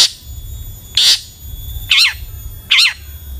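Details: Long-tailed shrike lure call meant to set off other shrikes: three or four grating, rasping notes, the later ones with a wavering nasal quality, spaced under a second apart.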